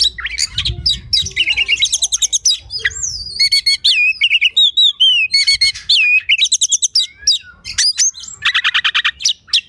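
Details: Oriental magpie-robin song used as tutor material for competition birds: a rapid, varied run of high whistles, trills and buzzy rattling notes, with some slurred rising and falling phrases, delivered almost without pause.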